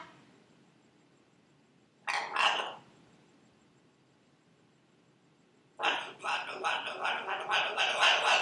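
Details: Household Buffon's macaw, a female, mimicking speech by repeating her name: one brief rasping phrase, a pause of about three seconds, then a longer run of rapid, choppy syllables over faint background hiss.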